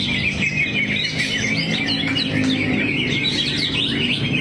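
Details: Greater green leafbird in drooped-wing display, pouring out its song repertoire: a fast run of high sweeping chirps, whistles and twitters, with a steady low hum in the background.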